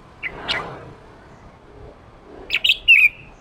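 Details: Male red-whiskered bulbul 'ché' song for training newly caught birds: a faint note early, then near the end a quick series of sharp chirps ending in a fluttering, slurred whistled phrase.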